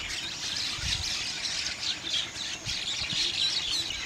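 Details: A flock of Bank mynas, called Gang Shalik locally; busy squealing and squawking chatter, many voices overlapping at a quick, uneven pace, with faint low bumps.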